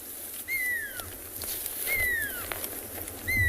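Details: Pearl-spotted owlet (Glaucidium perlatum) calling very close by in the morning, probably settling down, as breeding season approaches: three clear, piercing whistles, each sliding downward, about every one and a half seconds over faint hiss.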